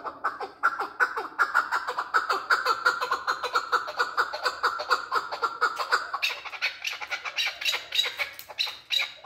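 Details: Male chukar partridge in a long rhythmic chatter: steady rapid clucking notes that hold a level pitch, then grow harsher and higher near the end.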